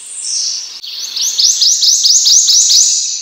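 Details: A single Prothonotary warbler phrase, a steady string of upslurred sweet notes over a constant high background hiss.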